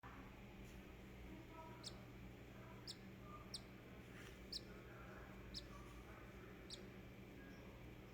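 A newly hatched cockatiel gives faint, thin, very high peeps, short and spaced about a second apart, over a steady low hum.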